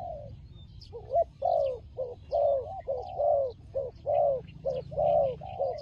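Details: Fighting turtle dove cooing steadily: rough, low, slightly rising coos in an uneven run of about a dozen notes, with faint high bird chirps behind.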